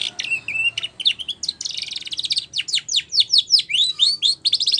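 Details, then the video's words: Spanish Timbrado canary song for training, opening with steady whistled tones and a buzzy rattle, then a run of swooping, falling notes repeated in quick succession. "Spanish Timbrado song For Training"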